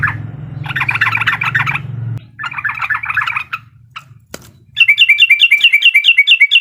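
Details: Sooty-headed bulbul uklik song, used to provoke a rival: two bursts of rapid chatter over a low hum, a sharp click, then a clear string of quick, repeated, bright whistled notes.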